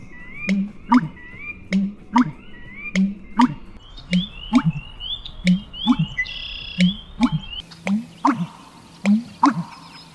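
American Bittern gives deep, hollow, gulping notes in pairs, repeated about every second, over thin whistles and chirps from other birds.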